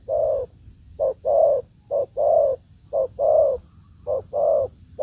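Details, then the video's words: Spotted dove cooing in a forest where a decoy bird met a wild dove: a clear repeated pattern of one short coo followed by a longer swelling coo, about once a second, over a thin high steady tone. "Mồi Thổ ô ra rừng đụng bổi đồng cườm đẹp"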